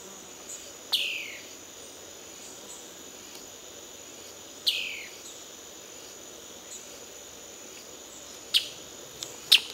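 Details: Ocellated poorwill recorded at Brusque giving falling, whistled notes about every four seconds, followed by two sharper clicks near the end, with continuous insect buzzing behind.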